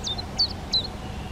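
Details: Three high, thin call notes from a collared flycatcher nesting in a garden, each a quick downward slide into a brief level whistle, spaced about a third of a second apart.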